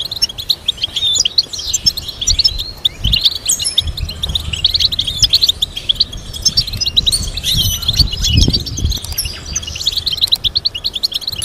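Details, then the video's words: European goldfinch song for training birds to sing: sustained fast twittering and chattering trills, with scattered higher ringing notes and occasional soft low bumps. "Teaching goldfinch to sing complex stimulating melodies"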